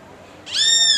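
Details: Great kiskadee calling to another of its kind: after a quiet half second, a harsh, nasal, overtone-rich note begins and is cut off at the end.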